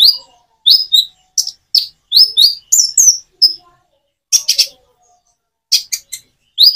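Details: Common iora song with natural gaps, used to prompt other birds to sing back: clipped, high chirps in small groups, separated by clear pauses of silence.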